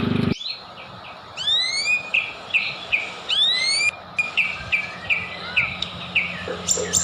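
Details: White-rumped shama song used as a lure to provoke other birds into singing. Loud clear whistles, rising sweeps and quick varied phrases tumble along without pause over steady background hiss.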